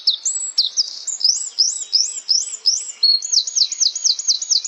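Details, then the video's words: Very high, sharp flowerpecker notes, each a quick upward flick, repeated in even runs; the song steps up in pitch partway through and ends in a faster string of chips. "Small Cayenne Pepper, Birds sing beautifully"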